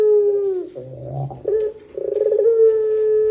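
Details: Barbary dove in the long pelung style, played as a lure for other doves: a held low coo dips down, breaks into a rough rumble, then a quick stuttering roll leads into another long level note.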